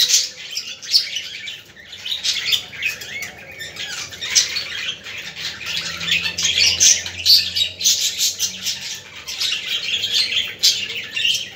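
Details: Budgerigar warbling used to stimulate budgies: a long, unbroken stream of high chirps, squawky notes and quick twitters, with loud peaks every second or so.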